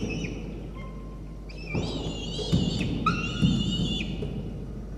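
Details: On 1 November 2021 a peregrine falcon chick, hungry again after a meal, nibbles its mother's talons and beak. Faint calls swell into loud, grating, wailing begging cries, with soft knocks over a steady low hum.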